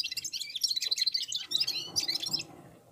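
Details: Red-fronted serins singing together while warming up: a dense, fast stream of high, tinkling and buzzy twitters that tails off at the end.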